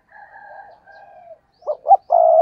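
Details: Decoy spotted dove cooing intensely. Two soft, drawn-out low coos come first, then a loud phrase of two short throbbing notes and a sustained deep coo, cut off at the end.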